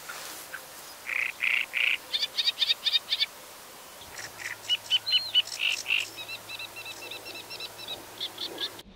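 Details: Great Reed Warbler singing from a reed bed, throwing out its very loud, harsh, croaking song: grating phrases and repeated chattering notes, each type repeated two or three times, with a low hum beneath.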